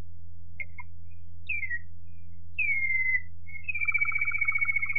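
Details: Waterslager Malinois canary, 2018: sparse, separate whistled notes sliding downward, a longer drawn-out falling whistle, then a sustained warbling tone with a lower pulsing undertone; low hum in the background.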